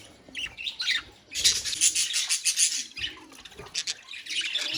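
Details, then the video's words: A budgerigar colony in full voice, many birds giving high, buzzy chirps and rasping notes at once in a continuous, pulsing wall of chatter. "Budgies Sounds in Colony | Parakeets Sounds in Colony"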